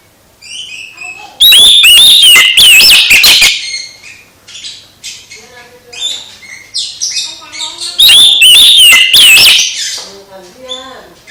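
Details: Oriental magpie-robin singing to provoke a quiet magpie-robin back into song; two loud outbursts of mixed whistles, squeaks and harsh notes, separated by a stretch of softer, varied chirping and whistled phrases.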